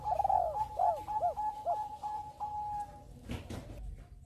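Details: Bangkok-type zebra dove singing actively, meant to draw other birds into singing along; a run of short arched mellow coos that fall at their ends, over a thin steady higher tone, with a few dull knocks near the end.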